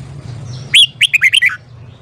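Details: Morning song of a red-whiskered bulbul under voice training: one quick phrase of five or six loud, rich whistled notes, each slurred downward, delivered in under a second over a faint low background hum.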